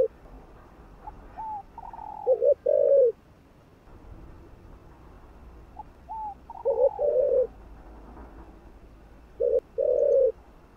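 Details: Spotted dove coos played to stimulate other doves: three phrases several seconds apart, with soft higher notes sliding down into low, loud short-and-long coos.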